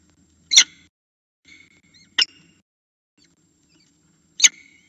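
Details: Falcon begging for food at the nest, recorded by a nest camera: three sharp, rasping, scratchy bursts spaced roughly two seconds apart, with faint softer chirps between them.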